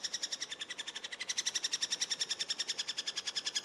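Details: High, thin chipping from a Eurasian three-toed woodpecker during feeding, delivered in a fast continuous series of about seven notes per second that grows slightly louder midway.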